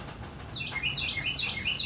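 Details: A northern cardinal singing on a rainy morning, a fast run of clear, down-slurred whistles, each dropping from high to middle pitch, over the steady hiss of rain.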